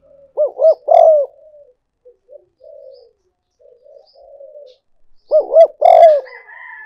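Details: Lure recording of a spotted dove: twice, a pair of quick hooting notes leads into a strong sustained coo, the phrases about five seconds apart, with quiet burbling coos filling the gap.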